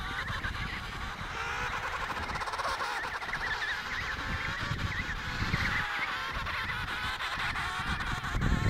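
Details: Antarctic emperor penguin colony, Riiser Larsen, November 2010: a thick wash of many overlapping honking, warbling voices with brief wavering calls surfacing, over constant wind roar.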